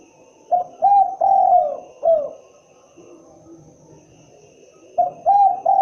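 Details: Cooing spotted dove: a short note, double coo, long slurred coo and a dropping final note, then a pause before the next phrase begins, with a faint constant hum behind.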